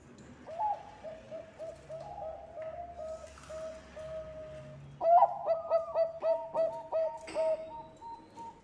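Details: Bangkok-strain zebra dove song used to lure birds: several mellow low coos at a steady pace, then after a short pause a louder burst of quick rhythmic coo notes, roughly a dozen in rapid succession.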